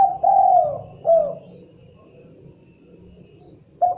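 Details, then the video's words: Spotted dove, called derkuku or tekukur, cooing: a long sustained hollow coo followed by a shorter falling note, then a pause before the next phrase begins at the end. "suara asli khas burung derkuku(Tekukur)"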